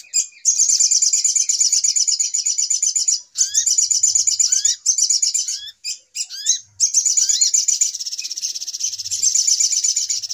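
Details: Rapid, shrill chattering of the little spiderhunter, used as a lure for trapping, in long runs broken by brief pauses, with repeated short rising whistled notes between them.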